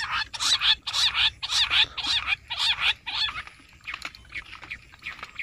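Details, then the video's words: Bush quail call used as a hunting lure: loud bursts of harsh, chattering chirps in quick series about every half second for three seconds, then fainter, sparser chirps, with a quiet low rumble beneath. "bush quail amazing shikar awaaz"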